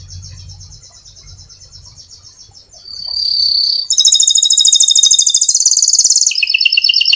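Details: Lively canary in long rolling song, meant to lure other canaries into singing. A thin high trill is followed by louder, very fast rattling rolls at several pitches, each held about a second before switching, with faint low rumble early on.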